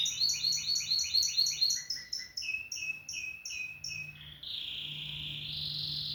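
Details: Canary (Serinus canaria), song.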